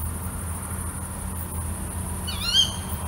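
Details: Female tawny owl at night uttering one clear, sharp, harmonic shriek that bends upward then down, near the end, over continuous faint hiss.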